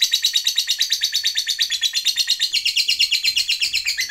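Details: Lovebird long trill, ngekek panjang, used to provoke other lovebirds: a continuous high, buzzy, rapidly pulsing chatter of about three pulses per second, slightly dropping in pitch toward the end.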